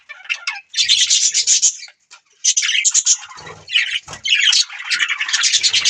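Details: Budgerigar chatter arriving in thick bursts of high chirps and grating warbles, separated by a couple of short silences.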